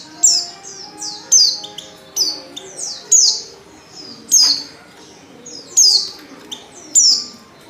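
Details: Female Oriental white-eye calling to lure males into singing: high, thin downslurred chirps repeated in short bursts about once a second, with faint lower tones in the background.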